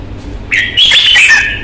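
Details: Red-whiskered bulbul with fighting temperament, from Vietnam: a brief rising whistle, then a loud run of bright slurred notes that dips at the end, with harsh broadband rustling throughout.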